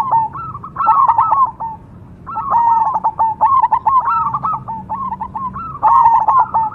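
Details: Zebra dove of the cemani perkutut variety singing: low, mellow cooing phrases of quick stuttered notes, each phrase about a second long, given three times with short pauses between; steady faint background hum.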